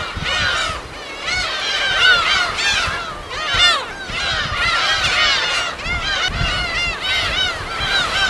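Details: Gulls at their natural breeding colony on an uninhabited island in Korea's West Sea, recorded in the field: a dense chorus of overlapping harsh, arching cries, many birds calling at once, rising and falling in waves of loudness.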